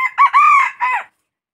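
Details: Red junglefowl crowing: a loud, clear crow in four linked parts, a short opening note, a brief higher note, a long even sustained middle note and a falling final phrase, lasting about one second, with silence after.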